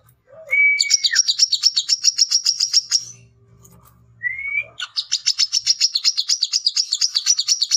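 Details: Male brown-throated sunbird calling out rivals: a short clear whistle leads into a rapid high chatter, a pause, then another whistle and a second long run of fast, shrill repeated notes.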